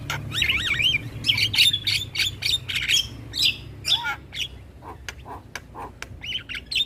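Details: Asian pied starling song played for young birds to learn in the morning: wavering looped whistles and scratchy notes, then a series of short rhythmic chirps, over a faint low hum.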